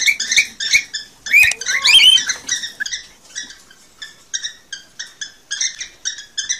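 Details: Cockatiels, captive birds, heard in a recording meant to stimulate mating; short scratchy chirps repeated steadily about every third of a second, with a louder warbled burst near the start.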